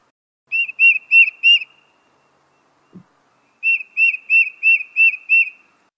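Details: A Tufted Titmouse in an urban park whistles its clear peter-peter song: a run of four slurred notes, a pause, then six more at about three per second. A soft thump between.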